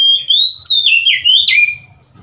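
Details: Oriental magpie-robin recorded on 3 March 2021, one loud clear whistled phrase of sliding, rising and falling notes lasting nearly two seconds, ending in a sharp upward note and a drawn-out lower whistle, then quiet.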